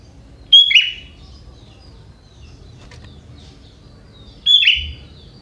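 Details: Young forest-dwelling sooty-headed bulbul with prinia-like song content; two quick phrases roughly four seconds apart, each a sharp whistled start and a lower rolling warble, soft background noise between.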